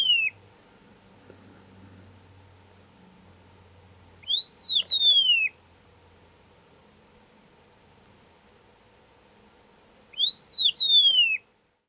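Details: Singing Agulhas long-billed lark, a species found only in the Overberg: loud whistled phrase, a short rise-and-fall note then a long drawn-out descending whistle, given twice about six seconds apart over quiet background with faint low hum.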